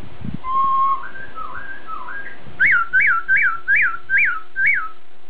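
Masked laughingthrush: a few soft rising whistled slurs, then six loud, clear arched whistles in quick succession, about two a second, over a low background hum.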